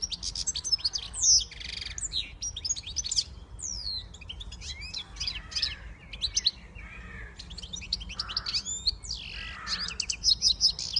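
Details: Siskin x goldfinch hybrid delivering a long run of high twittering song, rapid chirps, buzzy trills and sweeping notes in quick succession, a lower nasal note now and then.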